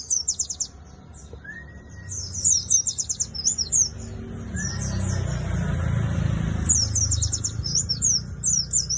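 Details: White-eye of the type called Buxtoni, singing at a songbird contest: rapid bursts of high, sharp twittering notes in quick runs, with a thin rising slurred whistle early on and a steady low rumble of background noise.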